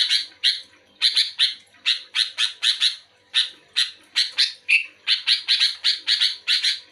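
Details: Energetic sooty-headed bulbul answering another bulbul with a dense, almost continuous string of rasping, broadband chatter notes, several per second, with one short whistled note near the end.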